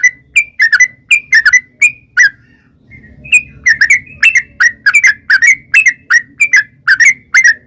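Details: Long rapid-fire sooty-headed bulbul song, played to draw wild bulbuls into answering. Fluty, liquid whistles come in tight clusters, break briefly near three seconds, then resume in a steady run with a faint low hum beneath.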